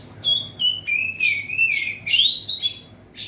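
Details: Oriental magpie-robin singing vigorously inside a cage cover to rile a rival: a continuous chain of loud, clear whistled notes, dipping and then sweeping upward, ending in a short burred note.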